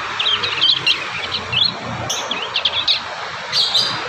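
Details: Juvenile prinias practising their song, bursts of quick, high, squeaky chirps and short trills in uneven clusters, separated by brief pauses, with constant background hiss.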